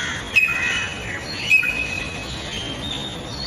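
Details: Greater racket-tailed drongo giving two sharp, metallic clicking notes about a second apart, followed by thin level whistles, over soft background hiss.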